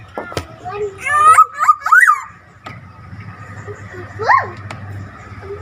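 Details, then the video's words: Black-naped oriole giving strange, nasal, wavering calls, a short run of upward-slurred notes followed after a pause by one rising-falling note, over a steady low hum. "burung kepodang suara anehh!!"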